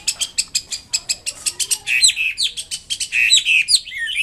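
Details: Wambi kembang mandarin bird singing continuously. A rapid series of evenly spaced chips leads into fluid, swooping whistles that swirl up and down.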